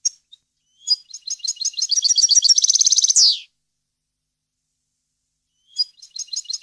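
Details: Song of a European goldfinch, used to tutor young birds: scattered chirps build into an accelerating rattling trill ending in a buzzy slur, then silence before the chirping resumes.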